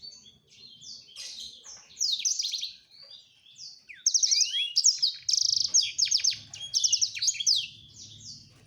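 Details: Black-throated canary male serenading a female with near-continuous, fast high-pitched song, chattering trills and rattling buzzes strung together, growing louder and denser in the second half, with a light background hum.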